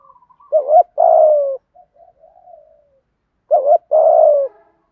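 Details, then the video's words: Spotted dove cooing twice in the 'thúc gù' style used to train captive doves: each phrase a quick wavering note then a long falling coo, separated by soft low murmurs. "cu gáy giọng thổ THÚC GÙ giọng hay hạp bổi nhanh nổi nhất, tiếng gáy giúp bổi nhanh gáy và nổi lẹ"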